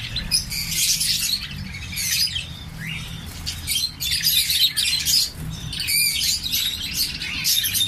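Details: A breeding colony of orange-breast mutation zebra finches chatters with a steady stream of high, nasal, buzzy calls overlapping one another.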